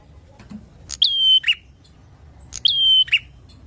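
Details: Bar-winged prinia song aimed at stirring up rivals: two phrases about one and a half seconds apart, each a sharp upward note into a steady piercing whistle ending in a short falling chirp.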